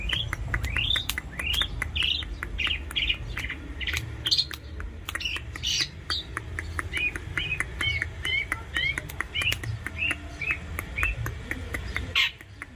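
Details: Long-tailed shrike kept as a pet bird, singing energetically: a long run of short sharp chirps and upslurred whistled notes, repeated rapidly and varied, with a low background hum throughout.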